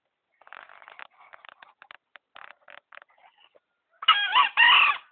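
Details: Tame green junglefowl (Gallus varius), trapped and kept about three months, gives a loud, hoarse two-part crow after a run of soft, broken clucking notes.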